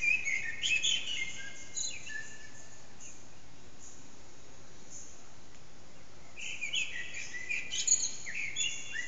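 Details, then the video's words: Eurasian blackbird morning song near 4:30am, echoing off a backyard, recorded on an HTC Desire phone with the singer unseen; a burst of fluted phrases and high chatter, several seconds of quiet hiss, then another ornate phrase. "Blackbird's morning song, part 1"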